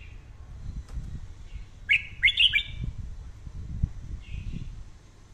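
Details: Red-whiskered bulbul singing, recorded for daily voice training and said to sing well and fierily: a brief burst of three clear whistled notes midway, with a softer note later, over steady low rumbling background noise.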